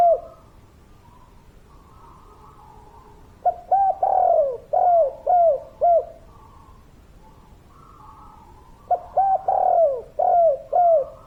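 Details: Spotted dove, a local bird in the three-note 'kuk 3' style, singing actively. Low hooting coos sit in two bursts of about five rounded, falling notes each, separated by a quiet pause with faint background hum.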